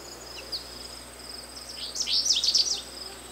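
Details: American goldfinch song: a rapid jumble of high twittering, tinkling notes lasting about a second, over a steady background of repeated insect chirps.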